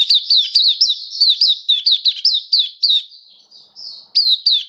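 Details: Kept Oriental white-eye singing, recorded 27 October 2022: fast runs of sharp, high, falling chirps, several per second, easing into softer drawn-out notes before resuming with bright chirps.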